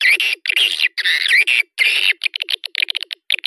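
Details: Swiftlet calling sound played to attract swiftlets into a nesting house: several long rasping, buzzy chatters in the first half, then a quick series of short sharp clicks and chirps.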